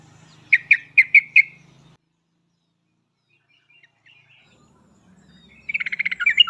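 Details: Sooty-headed bulbul (trucuk) master recording used to prompt reluctant birds to sing: a quick run of five clear, even notes, a long pause, then a loud fast chattering phrase of rapid repeated notes.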